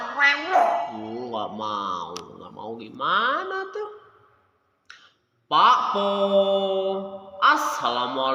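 A Nias hill myna talks in voice-like phrases with sliding pitch, then holds steady nasal tones after a brief pause. People's speech may be mixed in.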